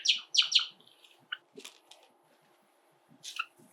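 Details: Among seven pet Java sparrows indoors, three loud, sharp chirps come in rapid succession, then fainter scattered peeps and soft clicks.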